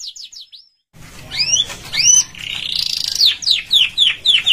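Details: Canary song played for training birds at home: a brief pause, then rapid high trills, a buzzy rolling stretch and a run of quick descending whistled notes repeated about twice a second.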